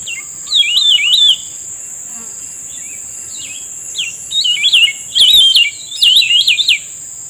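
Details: Cucak rumbai tungging answering a lure during bird trapping: loud warbling whistled phrases wavering between mid and high pitch, given in bursts separated by short pauses, over a steady high insect-like drone.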